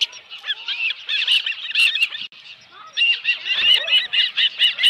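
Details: Osprey at a ranch nest holding a live fish, giving rapid series of high, slurred chirps in repeated bursts of about two a second, with a short gap midway and faint low thumps.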